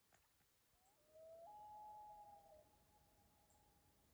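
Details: Common loon, males calling in the background near a mother loon and her young at a lake; a faint, long, steady wailing tone held for several seconds in an otherwise quiet, hushed setting.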